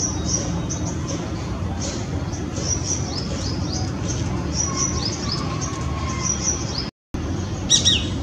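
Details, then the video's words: Near its nest in Greater Noida, February 2017, a perched female Shikra gives sharp rising high-pitched notes in clusters. Continuous hiss underlies them, and a brief break is followed by a louder burst at the end. "Shikra - Accipiter badius (with call)"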